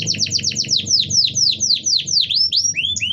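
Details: Canary song to trigger other canaries to sing: a quick series of downward-sweeping whistles, slowing slightly, ending in rising slurred notes, with noticeable low rumbling background.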